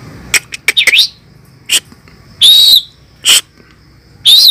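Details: Asian pied starling, called fierce, delivers short loud bursts of harsh, scratchy notes mixed with sharp whistles, including a clear rising-and-falling whistle, in about five separate bursts with brief silences between them.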